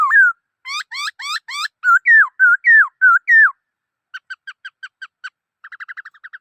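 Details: Black-throated laughingthrush in full song. Looping, rising whistled notes run into wavering phrases, followed by a series of short clipped ticks and, at the end, a rapid chatter of brief notes.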